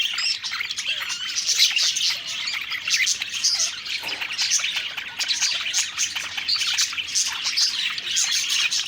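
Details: A group of parakeets singing contentedly while eating, continuous high twittering with quick chirps, squeaks and warbled phrases layered over one another.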